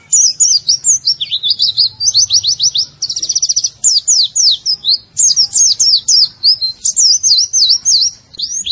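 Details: White-eye song from a masteran recording used to train cage birds: a continuous high twittering of rapid slurred and trilled notes, with quick buzzy rattles and wavering whistles running almost without pause.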